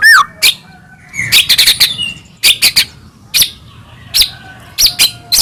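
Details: White-rumped shama used as a lure to provoke singing and agitation: scattered loud, sharp chipping notes and short clustered bursts with pauses between, over a faint low background hum.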